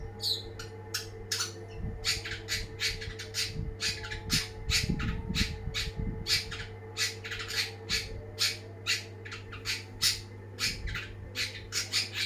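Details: Long-tailed shrike, described as a champion, sings a long run of harsh, scratchy bursts in quick rhythmic succession, some containing brief thin whistled notes, with a steady low hum and occasional knocking in the background.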